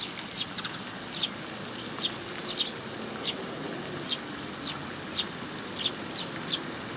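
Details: Young sparrows coming for food at a Tenmangu shrine on 18 May 2021; thin, high, single chirps spaced about a second apart over a steady background hum.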